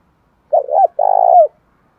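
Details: One spotted dove phrase used for provoking male doves to fight, made of a quick double wavering coo and a sustained, vibrating coo that bends downward at the end, recorded cleanly with no background.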